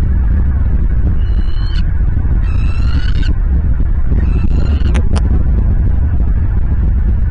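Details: Bald eagles at a Southwest Florida nest, nest camera recording from a January 2023 morning; three short rising harmonic calls in a loose series, then two sharp clicks, all over strong low wind roar.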